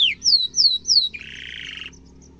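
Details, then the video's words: Canary singing a tutoring song for young and adult canaries: three loud whistled upslurred notes, then a harsh buzzy rattle that fades out. "kenari gacor ngeroll panjang cengkok mewah efektif untuk masteran burung kenari muda dan dewasa"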